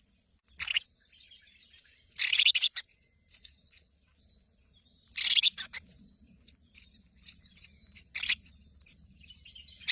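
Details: Newly hatched crested finchbill chicks begging in the nest as their mother feeds them. Harsh, hissing bursts about every three seconds, with thin high chirps in between and a soft low hum behind.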